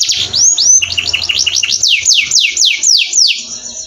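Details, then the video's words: Canary in full song, a training recording: rapid up-and-down whistled notes accelerating, then a slower series of loud descending sweeps about five per second. "Masteran Burung kenari"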